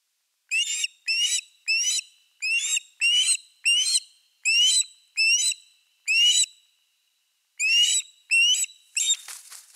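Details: An osprey at a nest, with fish brought to the nest, on 4 August 2024 in Finland, gives a run of about fourteen shrill, whistled, down-slurred notes, roughly two per second, with a brief pause before the last few.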